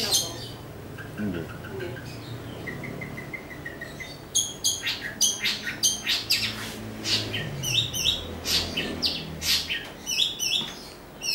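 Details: Greater green leafbird: a few thin, level whistled notes at first, then a fast run of harsh, buzzy, high chattering bursts over the second half, rising and falling in loudness, with a faint low background hum.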